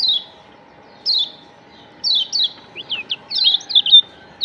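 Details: Yellow white-eye of Lombok, used to attract birds: spaced high falling chirps, then paired notes and a quickening flurry of short rising and falling chips, over a faint steady hum.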